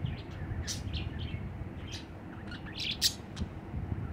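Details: Budgerigar perched on a hand, singing: scattered high chirps and clicks in a quick, uneven chatter over a steady low rumble of background noise.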